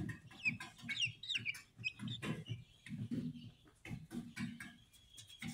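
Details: Speckled Sussex chicks, hatched 22 March 2023, give thin, high chirps that rise and fall, clustered in the first two seconds and then trailing off into a long steady peep, over repeated low thumping and rustling noise.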